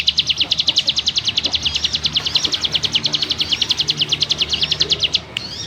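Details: Ciblek gunung delivering dense ngebrem song: steady fast pulses of high buzzy notes with small whistled twists woven in, ending abruptly with a short rising note.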